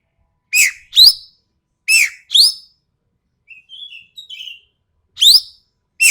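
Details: Common green magpie from Sumatra with a sharp, harsh voice, recorded as tutor material: two harsh paired calls, a short run of soft quiet chattering notes, then more shrill rising screeches.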